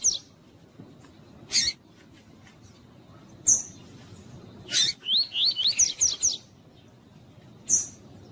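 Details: Captive double-collared seedeater, tui tui song style, played to stimulate other caged birds to sing; mostly sharp clicks and short high chips, then one phrase of about eight quick upslurred whistled notes near the end.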